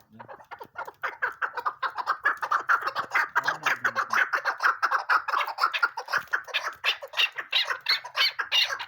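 A female chukar gives a fast, steady run of harsh, clucking chuk notes, about two a second, building into a dense chatter. A faint low murmur sounds briefly in the background.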